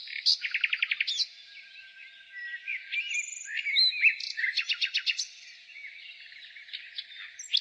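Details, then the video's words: Nightingale singing in spring: a rapid burst of about ten sharp repeated notes opens, followed by slurred whistles and chattering phrases, with a busy high-pitched bird chorus running underneath. "Nightingale singing"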